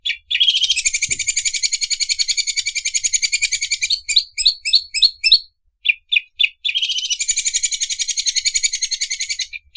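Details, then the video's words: Greater green leafbird used as a training recording, copying the sound of a sewing machine: a fast, high, buzzy pulsing chatter, broken midway by sharp chirped notes and short gaps, then resuming the rapid mechanical rhythm. "MASTERAN CUCAK IJO SUARA MESIN OBRAS"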